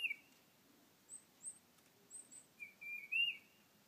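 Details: Tufted titmouse at a backyard bird feeder, singing rather than calling: clear, slurred whistles at the start and near the end, with thin, very high, short notes scattered between them over faint background hiss.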